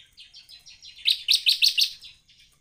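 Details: Bar-winged prinia in lively full song: soft, rapid buzzy notes build into a burst of loud, sharp, high chips repeated about every fifth of a second, then fade.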